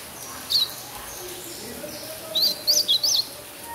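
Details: Young captive chestnut-bellied seedeater, a chick raised by a breeder, singing in imitation of a blue-black grosbeak: a lone high whistled note, a pause, then a quick run of four high, sharply inflected whistles.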